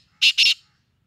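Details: A captive black francolin (Francolinus francolinus) kept in Karachi gives two harsh, grating, high-pitched notes in quick succession, about a fifth of a second apart, with nothing else heard.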